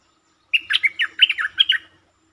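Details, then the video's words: Streak-eared bulbul giving a long, doubled song on 13 February 2023: an unbroken chain of about eight quick, bubbling chirps lasting roughly one and a half seconds, bright and slightly buzzy. "เสียงนกดอกแตงEp.148 จ้าวแบงค์เปิดดอกหลายเพลง มีเพลงยาว เพลงเบิ้ล Suara pikat merbah lekir"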